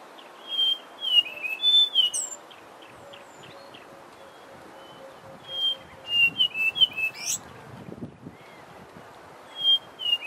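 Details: Brown scrub robin repeating short phrases of clear, slurred whistled notes separated by pauses of several seconds; a faint, low, evenly spaced series of soft notes and a brief rustle sound in the background.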